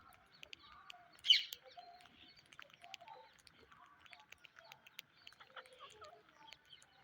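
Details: Indian ringneck parrot giving one short, harsh, loud screech early on, followed by scattered soft chirps, twitters and clicks from birds at a distance.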